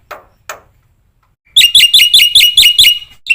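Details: Black-winged myna song meant to set other birds singing: two faint scratchy notes, a silence, then a loud burst of ringing whistled notes with sharp upward flicks, about two and a half each second.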